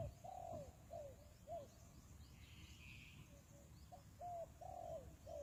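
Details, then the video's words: Spotted dove used as a decoy to lure wild doves for trapping, giving low, mellow coos in short groups, some notes gliding downward and drawn out, repeated through the clip over a steady low rumble of background noise. "Tekukur Pikat,นกเขาใหญ่สายต่อดิน, Sound Of dove"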